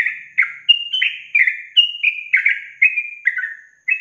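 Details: Training recording of a yellow-vented bulbul's long trill (ropel panjang): continuous chain of rich, gurgling whistled notes, each sliding downward, about a dozen in four seconds, with no other sounds.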